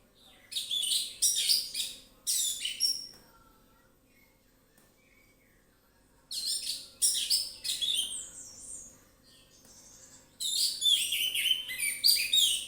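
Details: Orange-headed thrush in relaxed, loud lure song: three long bouts of rapid, dense, scratchy and twittering notes, separated by quiet spells with faint soft whistles.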